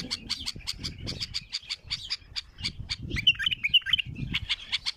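A bulbul sings loud, bubbly warbled phrases mixed with sharp chattering notes, repeated quickly over a low rumbling background.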